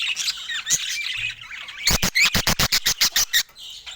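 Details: Budgerigars sharing fruit: soft high warbling chatter, then a quick series of about ten sharp, loud clicking bursts roughly five per second, before the twittering resumes.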